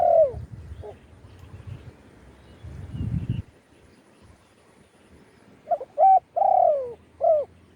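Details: Spotted dove cooing, recorded live as a call to lure wild doves: one falling coo at the start, a pause with low rumbling handling noise, then a late run of short coos and a longer drawn coo.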